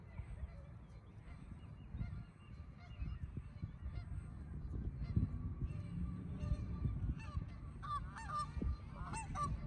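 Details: Canada geese (Branta canadensis) with goslings at Bower Ponds park, Red Deer, Alberta, give short nasal honks over a steady low rumble of wind.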